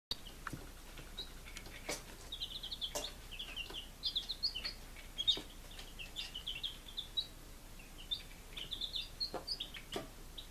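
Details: Several five-day-old baby chickens kept at home in Lunenburg, Massachusetts, in July 2017, giving a steady stream of short, high peeps, many overlapping and slightly falling, with soft clicks and knocks in between.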